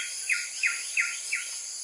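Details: A female Black-naped monarch at her nest in rainforest near Taman Negara, Malaysia, around 7:30 am, calls repeatedly after nearly an hour of incubating, as if asking to be relieved: four sharp, high, quickly falling notes, about three a second, over insect hiss.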